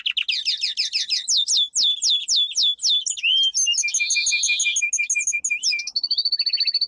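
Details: A domestic canary sings a powerful training song of fast, high, ringing trills in quick bursts, then a dry rolling buzz and a thin sustained whistle closing into rapid chips.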